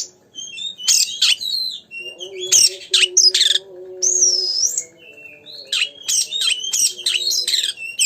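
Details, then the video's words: Oriental magpie-robin song used to stir a magpie-robin to sing: bursts of harsh chips and sweeping whistles, a looping high whistled note midway, then rapid varied phrases, with a low droning hum behind. "pancingan burung Kacer gacor"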